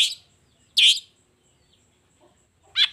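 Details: Long-tailed shrike singing actively in the morning: three short, harsh, rasping bursts spaced about a second apart, separated by quiet gaps.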